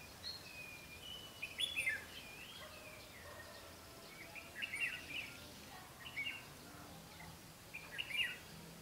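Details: On a 12 August 2016 trapping outing, a red-whiskered bulbul decoy sings to draw in wild bulbuls: clusters of warbled, slurred notes about every one to two seconds, with a faint low hum behind.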